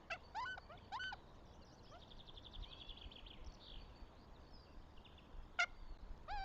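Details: Northern goshawk at the nest near Tartu, Estonia, on 26 April 2025: short repeated harmonic calls with rising and falling notes at the start and near the end, plus a faint trill in between, over steady rural background noise.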